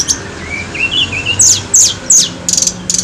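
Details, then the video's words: Tledekan gunung (mountain flowerpecker) song played as a lure: thin, high chirps, a few short rising-falling notes, then sharp descending ticks and a quick buzzy trill at the end, over faint low background hum. "PANCINGAN TLEDEKAN GUNUNG FULL GACOR"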